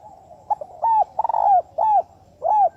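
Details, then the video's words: Fast "thúc bổi" decoy call of a spotted dove used in trapping: a quick stutter, then loud, clear coos that rise and fall, repeated about every half second. "Tiếng Chim Cu gáy mồi thúc bổi tốc độ cực mạnh"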